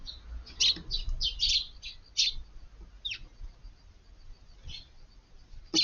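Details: A quick run of sharp chirps from Eurasian tree sparrows at a garden feeding spot early on a hot August morning, dense for two seconds, then scattered single notes over low background hum.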